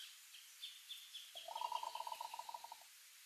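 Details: Green ibis in the Pantanal, Brazil, calling a quick rattling run of about fifteen clipped, hollow notes at steady pitch for roughly a second and a half. Faint higher bird notes sound in the background.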